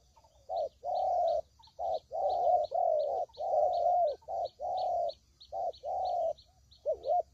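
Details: Spotted dove cooing for use as a bird-trapping lure: sustained, mellow low coos run together in long phrases, separated by short gaps, over a steady faint high-pitched ticking.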